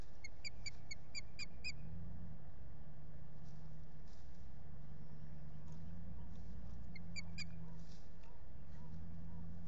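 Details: Osprey begging for food at a nest at Salt Point in the Finger Lakes, US, filmed by a solar-powered camera on 8 April 2022: two bursts of short, sharp, repeated chirps over steady wind rumble and faint knocking.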